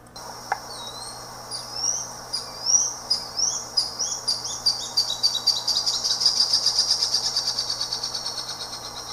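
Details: Crescent-chested puffbird (Malacoptila striata) song: thin, high whistled notes, at first spaced and slurred, then quickening into a long, rapid, even series of sweet peeps in otherwise quiet surroundings.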